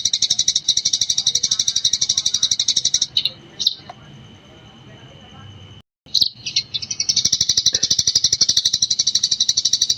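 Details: Eurasian tree sparrow in gecor style, used as a master recording for training other birds: long runs of rapid, high, even chirps about four per second, broken midway by a short pause with a few scattered notes before the chattering resumes.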